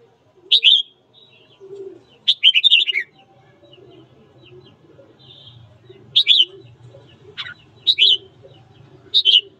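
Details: Morning song of a red-whiskered bulbul, meant to provoke rival birds into fighting: bright, clipped whistled bursts, one a longer tumbling run, coming in irregular groups over faint background murmur.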